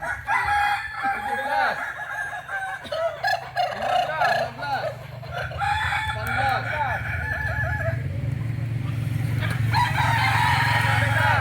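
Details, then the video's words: Crowing of native Kokok Balenggek fowl from Solok, West Sumatra: chains of rapid arched notes in repeated bouts, partly masked by a strong low rumbling noise that grows toward the end. "Ayam kukuak balenggek asli solok sumbar"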